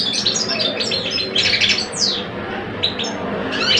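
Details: Caged male European goldfinches, an old bird against a two-year-old, compete in song in Algeria; rapid tinkling twitters and a few sweeping notes over low background rumble.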